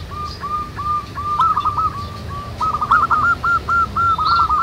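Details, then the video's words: Several wild zebra doves singing manggung in nature: a long run of quick, even, hooked notes, speeding into stuttering rolled trills, over steady natural background noise. "SUARA BURUNG PERKUTUT MANGGUNG RAMAI DI ALAM"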